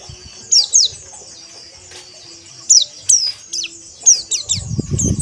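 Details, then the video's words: Pleci (white-eye) giving spaced pairs of high sharp downslurred chirps, then a quick series, with low thumping noise at the end. "Terapi Pleci Ombyokan Agar Ngeriwik Kasar Dan Ngalas"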